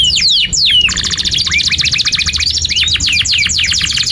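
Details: Canary singing a long chirping song meant to teach young canaries: a few descending whistles, then a dense buzzy rattle of very fast repeated notes, with scattered upslurred whistles woven through.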